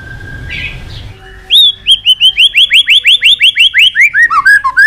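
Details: Excited White-rumped shama, tail flicking, delivering a rapid steady series of rising-then-falling whistled notes, about three per second, ending in lower slurred whistles after a quiet start.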